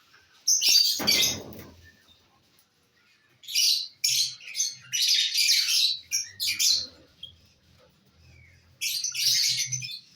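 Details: Lovebirds feeding on corn on the cob, 18 December 2022: a loud rasping burst, a quiet pause, then a string of scratchy high chirps and a final chattering flurry, with soft low thuds.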